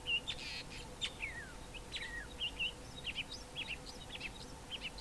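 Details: A male common fiscal sings on Mountain Drive, Grahamstown, mimicking fynbos birds such as wailing cisticola and Cape grassbird: a fast run of thin high whistles, slurred downward notes and short chips, over steady background hiss and a low hum.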